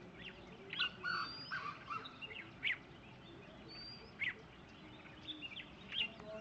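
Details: Red-whiskered Bulbul giving brief sharp chirps and liquid notes in irregular bursts, recorded together with a Grey Junglefowl, faint high whistles and other bird notes behind, over a low constant hum.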